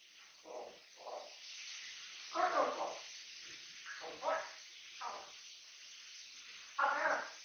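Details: Pet Amazon parrot gibbering nonstop at home, a series of short hoarse speech-like syllables, some louder and harsher, spaced unevenly over seven seconds.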